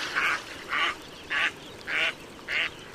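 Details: Pond duck delivering five loud, flat, nasal quacks in quick regular succession, about two per second, over a light hiss.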